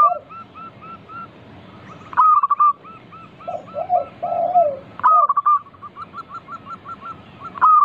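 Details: Vigorous local zebra dove singing as a lure to prompt other doves: a short group of low, mellow coos mid-way, set among repeated loud, clipped higher notes and fast bouncing runs of pips.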